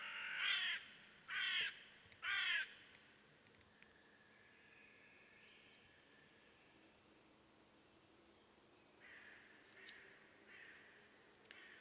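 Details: Blue-bearded bee-eater in Salem, South India: three harsh, buzzy, croaking calls about a second apart in the opening three seconds, then a few fainter, softer rasping notes near the end over quiet background hiss.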